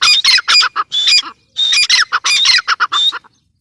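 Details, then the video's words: Teetar, the grey francolin, in two loud bursts of rough, clipped squawking notes, each run lasting just over a second, ending in a brief silence. "Teetar sound | teetar awaz | teetar ki awaz | gray francolin teetar sound"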